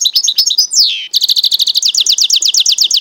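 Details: Goldfinch-canary mule hybrid singing loudly. Twittering notes lead into a long downward-sliding whistle, then a steady, rapid trill of identical high, slurred notes repeated about ten times a second.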